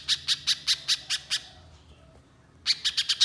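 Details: Little spiderhunter giving a rapid, high chipping song used as a lure. A run of sharp notes about five per second stops for over a second of quiet, then the series resumes.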